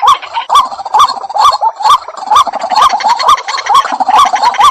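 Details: Dahuk, the white-breasted waterhen, gives a rhythmic series of upturned nasal notes at a brisk, even pace of about two per second, with crisp percussive edges.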